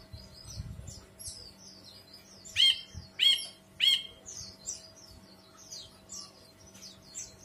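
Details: Ashy bulbul song: three loud, ringing notes about half a second apart, each with a quick up-and-down inflection, over a busy background of thin, high chirps and twitters.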